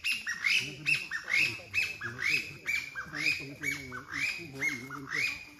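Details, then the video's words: Taiwan bamboo partridge, endemic to Taiwan, inhabiting hills and mountains below 1,200 m, gives loud, ringing, rising phrases repeated about once a second in an insistent series. "Calls of Taiwan Bamboo Partridge"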